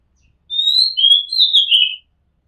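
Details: Single song phrase of an Oriental magpie-robin recorded from a home rooftop: a clear whistled note, a lower sliding whistle, then a burry descending flourish, about one and a half seconds long.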